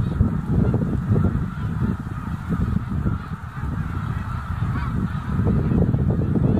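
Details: A massive snow goose flock of 30,000+ birds stirred up by a limping black bear, January 2016: a constant wall of honks and clamour with steady low roaring, swelling loudest at the start and end.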